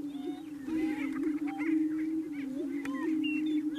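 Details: Greater prairie chickens at a lek on a ranch near Wray, Yuma County, Colorado, April 14, 2019, over 35 birds of both sexes; males display to attract females. A steady low hooting drone from overlapping males, with higher cackles and whoops above.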